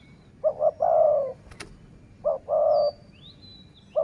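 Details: Wild-dove luring session in sai mueang style, with a dove giving double short coos and a long steady coo, twice about two seconds apart. A sharp click and a high thin whistle occur between phrases.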